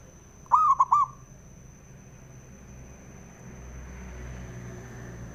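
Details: A male zebra dove, whose song is used to rouse rival doves, gives one brief rolling coo of three quick notes, followed by several seconds of low rumbling background noise.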